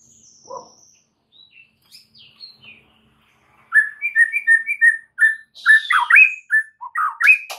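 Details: White-rumped shama full song with many mimicked fill-in phrases, played as a tutoring recording meant to make other shamas answer: faint high whistles, then loud clear whistled notes repeated quickly, ending in varied swooping and rising phrases.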